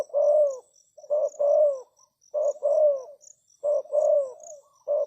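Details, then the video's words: Spotted dove used as a decoy to attract wild doves: strong, low, rolling coo phrases, each a short note then a longer descending coo, repeated regularly, with a faint insect trill behind. "Chim cu gáy chiêu kích mồi tập bổi nhanh nổi hiệu quả"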